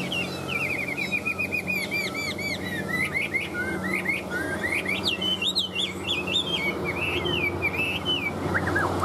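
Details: Caged Chinese hwamei described as in peak singing form, delivering a rich, varied run of loud whistled phrases: rapid slurred notes, looping rising-falling whistles and sharp upward sweeps in quick succession, over a low steady background hum.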